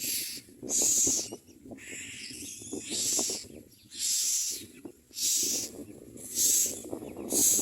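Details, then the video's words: Common myna chicks beg while being fed in the mouth, giving loud, harsh hissing screeches in bursts about every two seconds, with low rustling underneath. "Common myna Baby Birds feed in their mouths and scream for food"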